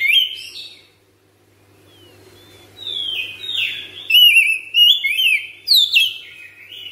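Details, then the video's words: A home-kept Oriental magpie-robin singing ngropel with long breath. After a short opening whistle and a quiet gap with a low hum, it builds into loud, sliding, downward-swept whistles repeated in quick bursts. "TERAPI HARIAN KACER RUMAHAN CEPAT GACOR NGROPEL NAFAS PANJANG"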